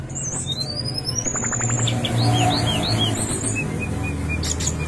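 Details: Lure recording of a brown-chested jungle flycatcher for prompting caged birds to sing: a long rising whistle, then quick looping whistled notes and short chips, with a constant deep humming background.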